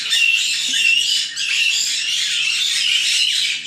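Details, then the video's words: White-bellied caique babies, nine birds kept in a breeding aviary near Dallas, Texas, chattering together: a dense, continuous wash of harsh squawks and high screechy notes without pause, several birds overlapping throughout. "Caique Parrot Noises - Listen to White-bellied Caique Babies"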